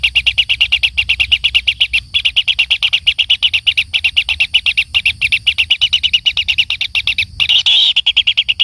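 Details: Kingfisher chick being fed by its parent repeats short, high, buzzy notes at a rapid steady pace, with a brief harsh squeal near the end.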